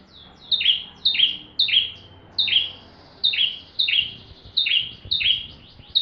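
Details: Bar-winged prinia singing a full song for tutoring magpie-robins: high chirp-and-buzz notes, each dropping quickly in pitch, repeated in an even series with short gaps.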